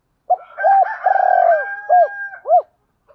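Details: Spotted dove goading and calling coos for training wild-caught birds; low hoots and a rolling purr followed by two arched coos, overlapped by a long steady higher drawn-out tone from another bird.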